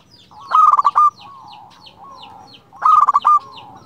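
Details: A local zebra dove gives its clear rival-calling song: two loud phrases of quick, pulsed coos rolling into a brief trill, separated by quieter, drawn-out cooing from other doves in the background.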